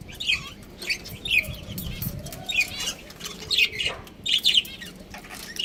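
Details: Pair of pet budgerigars kept for breeding: clear sharp chirps and short warbled phrases in separate bursts about every half second, over a low background hum.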